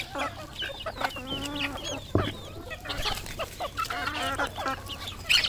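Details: Red junglefowl, a local decoy bird, calling with runs of short harmonic clucking notes and a couple of longer stacked calls. A dense background of many high chirps and twitters from other birds fills the clip.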